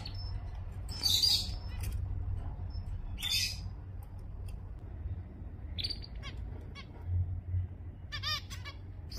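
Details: Zebra finches in Singapore, November 2024: short, sparse, nasal calls with stacked harmonics, heard singly around the first, third, sixth and eighth seconds over a steady low hum.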